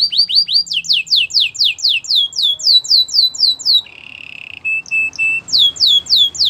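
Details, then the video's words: Belgian canary training song of repeated swooping whistled notes, roughly four per second, broken by a low buzzy trill and three soft piping notes before the whistles resume. "Canary singing for training | Belgian canary"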